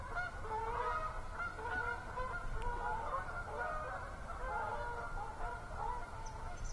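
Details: Geese honking on an autumn evening at Assabet River National Wildlife Refuge, 10/6/14: a continuous chorus of many overlapping honks from several birds, steady throughout, over low rumbling background noise.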